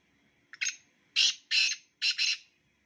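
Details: Black francolin call from a pair of birds: a brief stuttering lead-in followed by two long, loud, grating notes and a fast double rasp, over near silence.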